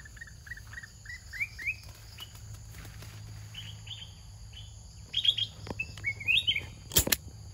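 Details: Large wild-caught red-whiskered bulbul of the charcoal-headed type, caged and trained, fierce and quick in its singing: short rising whistles in quick series, softer mid-clip, then bright slurred phrases and a sharp clatter near the end.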